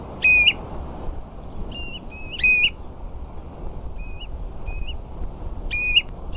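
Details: Ringed plovers with a few dunlin on sandflats at Ferrybridge, Portland: repeated clear whistled calls, each a level note rising into an upturned flick, loud ones alternating with softer distant replies, against a constant low rumble.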